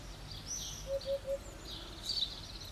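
A Eurasian hoopoe gives three soft, low, hollow 'oop-oop-oop' notes in quick even succession, with thin higher chirps from other birds and faint rural background noise.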